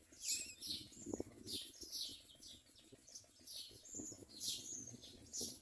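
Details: Common myna chicks at the nest: thin, high squeaky calls repeated rapidly and unevenly, roughly two per second, with soft rustling and fluttering sounds underneath.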